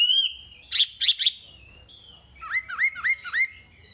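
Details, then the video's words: Wambi masteran song: a short whistle, three quick ringing trills, a level held note, then four rising hooked chirps in a steady row. "Masteran Wambi paling istimewa full materi"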